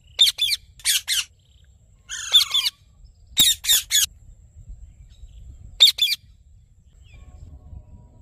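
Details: Rose-ringed parakeet giving harsh, grating squawks in short bursts of two or three, separated by pauses, with one longer rasping call; quiet background otherwise.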